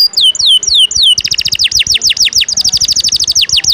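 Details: Canary song in the 'ngejos' style, kept to tutor contest birds: a few slow falling whistles lead into a fast, bright series of repeated downslurred notes, about four per second or more.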